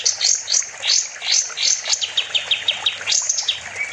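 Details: Sooty-headed bulbul (kapas tembak) as a songbird master, singing briskly: high sweeping notes and clusters of rapid chirps in an irregular, lively rhythm, ending with a short slurred whistle.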